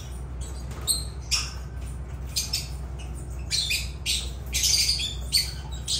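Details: Agapornis lovebirds making rapid, harsh, high-pitched squawking chatter that thickens into longer, louder bursts in the second half, with a low hum underneath.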